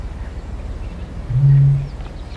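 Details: A Eurasian bittern booming: one deep, hollow, foghorn-like note swelling for about half a second over a low rumble, with Blue Tit, Wood Pigeon, Wren and Reed Warbler in the background.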